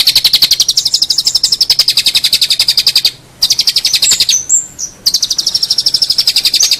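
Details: Long-tailed shrike singing on a master recording for tutoring songbirds: a long, fast, buzzy trill of evenly repeated high notes, broken by two short gaps with a few whistled slurs between them.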